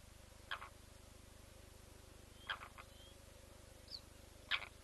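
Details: Blacksmith lapwing at a nest with leucistic chicks hatched within the last 24 hours, picked up by a live webcam: sharp, metallic clicking notes at roughly two-second intervals over a steady low mechanical hum.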